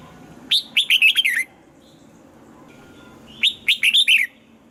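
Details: Lively morning singing by a red-whiskered bulbul, 'âm kép già rừng' double-note style for voice training: two cheerful phrases, each a fast string of five or six slurred, bubbling whistles, separated by about two seconds of calm.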